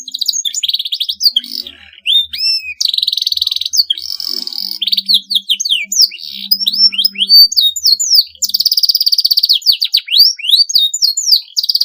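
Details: Canary singing a long, rival-provoking song: busy stretches of rapid buzzy trills alternate with clear upward and downward whistled sweeps, loud and high throughout.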